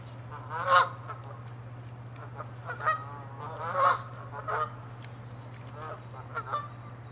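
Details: Aggressive, territorial Canada geese fighting give loud, blaring honks, several sharp peaks every second or two among quieter overlapping calls, over a steady low hum.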